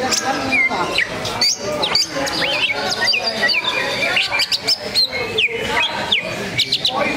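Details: Greater green leafbird at a songbird competition, spreading its tail while singing: rapid varied whistled notes, sweeping up and down, with chirps and trills layered over loud crowd chatter and background noise.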